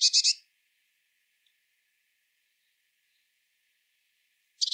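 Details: High, brief buzzy bursts from a Eurasian blue tit, one short double note at the start and another at the very end, separated by quiet.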